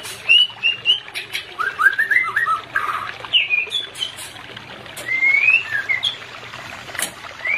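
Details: White-rumped shama song, used as therapy to stimulate a pair that is not in breeding condition: a varied run of fluted whistles, slurred notes and quick rising phrases that goes on almost without a break.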